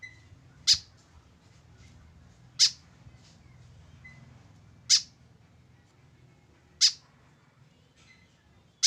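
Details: Lone tame white-breasted woodswallow with no companion, calling with brief grating notes spaced roughly two seconds apart, five calls, with steady low background hum.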